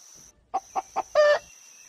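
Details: A farm hen gives three quick, low clucks about a quarter-second apart, then one longer, louder drawn-out cluck, over a steady high-pitched whine.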